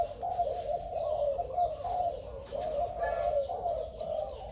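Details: Spotted dove, described as a new and fierce bird, giving low, blurred, continuous cooing that runs almost without pause. Faint higher chirps sound in the background.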